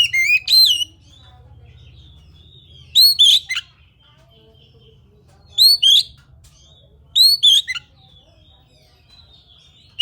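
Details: An Oriental magpie-robin (kacer) sings to prompt other magpie-robins to call: paired loud upswept whistles recurring about every two seconds, clean and ringing, separated by quiet pauses with a faint low hum.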